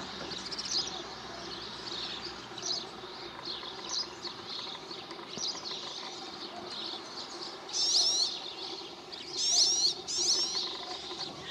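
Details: Rock sparrow (Petronia petronia) at Quijorna, Madrid, Spain, May 2017, giving two loud, wheezy, rising calls about two seconds apart over soft high chirping from other small birds.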